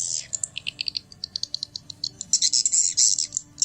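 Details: Swiftlet lure sound meant to attract swiftlets: quick, high chirps and clicks in irregular bursts, becoming denser, buzzier twittering after two seconds.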